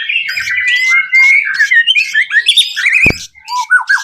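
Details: A white-rumped shama sings to prompt other birds to sing, its long whistled note sliding gently upward, then mixed chirps and squawky notes, with a sharp click near three seconds.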